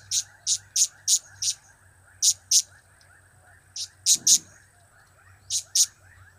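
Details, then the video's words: Blue-crowned hanging parrot (serindit) producing cap-cap, kiak-kiak and crap-crap calls: about fourteen sharp, shrill chips in bunches of two to five, with brief silences between bursts and a short low sound midway. "Trio Cap²/Kiak²/Crap² Semakin Gacor"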